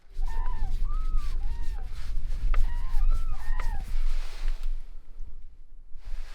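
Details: Cranes, arriving in snowy late winter awaiting open water, give a series of loud, arched, trumpeting notes, about six in four seconds, over a heavy low rumble of wind or machinery.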